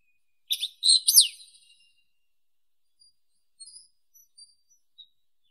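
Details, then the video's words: Wallcreeper giving a quick burst of high, sharp chirps and a short upward-sweeping note lasting about a second, followed by a few faint scattered ticks. "Как поёт Стенолаз (Tichodroma muraria)"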